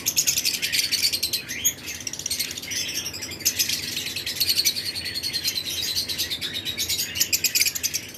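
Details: Lovebird pairs of several colour mutations in a flight colony during breeding season, alongside other birds; a dense, continuous chorus of high, sharp chirps and twitters overlapping throughout, with no clear pauses.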